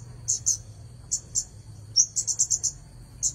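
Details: Red-headed bunting singing, with paired high chirps, then a fast run of about six bright notes near the end, over a steady faint whine.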